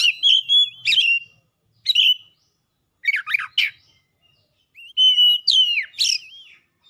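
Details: Excited kacer song from an Oriental magpie-robin unloading its isian repertoire: bright whistled phrases, quick chattering note clusters, then wavering, looping whistles, repeated in lively bursts.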